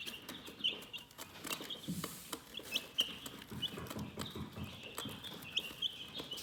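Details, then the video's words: Chickens chirping soothingly, a steady stream of high, short peeps from several birds at once, over low rustling and scattered knocks. "Chicken Relaxing Soothing Chirping Sounds"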